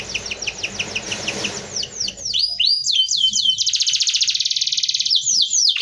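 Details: Dense rolling canary song suited to tutoring: evenly spaced chirps over background hiss, then swooping whistled slurs, a long rapid buzzy roll, and final upward-sweeping notes.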